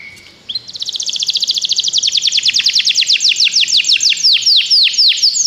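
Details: Canary song played to encourage another canary to sing: a faint high note, then a long rapid trill of repeated high syllables that slows into distinct downward-sweeping notes near the end.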